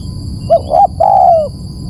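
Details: Dove lure call used to attract birds: one phrase of two short low coos followed by a longer, smooth, gently falling coo, over a faint steady electronic whine.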